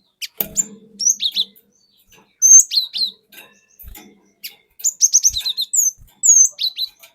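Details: Lure song of a wild cinereous tit from the forest, used to provoke other birds: loud high whistles and rising and falling slurred notes in lively phrases, with faint low thumps.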